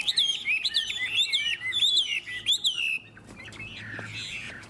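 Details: Two unowned Chinese hwamei, from Tuyen Quang, Vietnam, in a singing contest, pouring out loud, rich whistled phrases, looping and sliding up and down for three seconds, then softer song while sizing up the rival; faint background noise.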